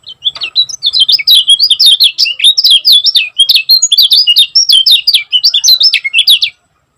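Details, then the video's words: Lemon-bellied white-eye (kecial kuning) from Lombok singing a fast, tightly packed 'gacor speed rapat' song. Rapid, high, twittering and warbling notes run almost without pause for about six seconds, with sharp up-and-down slurs. No other sounds are heard. "Kecial Kuning Gacor Speed Rapat Buat Masteran Ampuh || Suara Burung Kecial Kuning Lombok Juara"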